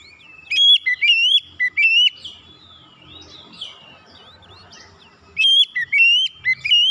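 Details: Magpie-robin song played to lure other birds into singing: a fast series of sharp, bending whistles, a pause filled with soft twittering and low noise, then another energetic whistled burst.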